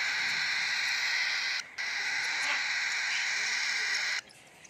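A baby cockatiel gives a continuous harsh, buzzy begging call while being fed.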